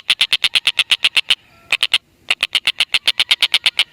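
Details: Black-and-red broadbill, recorded to lure lovebirds, gives bursts of quick rasping notes: a run of ten, a short group of three after a pause, then another steady run.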